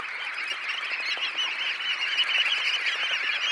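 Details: Red knot flock of about 20,000 birds leaving a high tide roost: brief burst of thick, overlapping chattering calls, steady and continuous.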